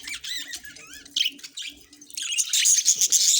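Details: Budgies calling with rising and falling whistled squeaks, then a louder burst of harsh, high chattering near the end; faint low hum throughout.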